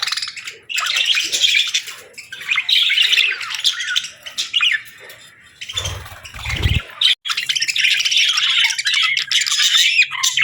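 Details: Budgerigars chirping on a peaceful morning: steady scratchy chatter and squawky notes from several birds, interrupted by a brief low thumping noise near the middle.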